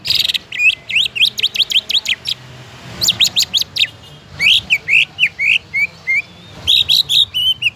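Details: Greater green leafbird in a cage, singing to spur other leafbirds into song: fast runs of sharp, sweeping whistled notes, some slurred upward, others chattered, delivered in energetic bursts.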